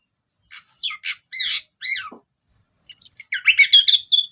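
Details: ['Orange-headed thrush singing in the ngeplong style as a lure. Separate harsh rasping notes come first, then a thin sustained high whistle, then a fast jumble of chattering, twittering notes.']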